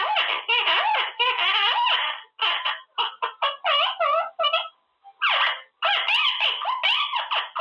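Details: Male Quaker parrot in his cage practising new words: dense, rapid harmonic chatter in clipped bursts with short gaps, rising and falling syllables tumbling over each other for nearly eight seconds.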